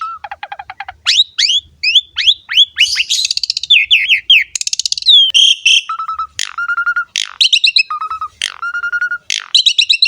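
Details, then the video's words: Energetic Asian pied starling singing nonstop, used to train and lure young or silent starlings: repeated low whistles give way to rapid sweeping chirps, buzzy bursts, then steady mid-pitched whistles alternating with sharp high notes. "JALAK SUREN GACOR ‼️ MASTERAN DAN PANCINGAN BURUNG JALAK"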